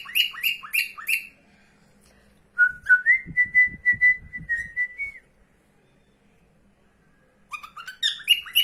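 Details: Female pet cockatiel that follows her owner through the house: rapid rasping chirps repeated about four times a second, then a rising whistle held steady for two seconds over low knocking, silence, and renewed bursts of harsh chirping.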